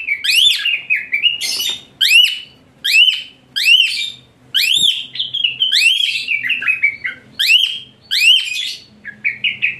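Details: Asian pied starling delivering a rough, high-pitched song used to train other songbirds: a dense run of arched, screechy whistles and short rasping notes, repeated over a steady rapid rhythm.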